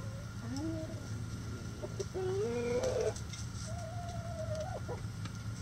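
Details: Hen calls: drawn-out, whining, rising tonal notes, then a louder upslurred cry and a long, level, nasal note trailing off, over steady low rumbling background noise.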